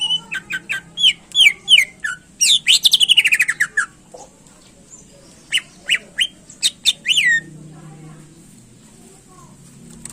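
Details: Greater green leafbird singing vigorously to rouse competition birds: fast varied run of sharp whistled notes and a rapid buzzy trill, then scattered loud chips and slurred whistles before fading to quiet.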